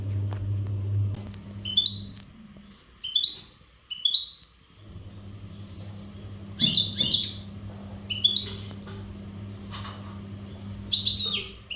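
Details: European goldfinch, an untutored bird in breeding readiness, gives short bright rising chirps and brief twittering bursts at irregular intervals, with a loud low humming machine noise throughout.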